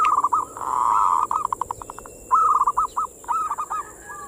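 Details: Zebra dove (perkutut) singing in manggung style, used as bait to arouse local perkutut: a long rolling coo near one pitch, then a quick string of clipped staccato notes and two stuttering cooed phrases, over a steady high hiss.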